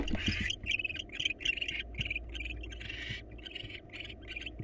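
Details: ['Barn owls, wild, in a nest box while the male delivers a mouse to the female; rapid, choppy series of short raspy hissing bursts, uneven in spacing, over a steady low hum.']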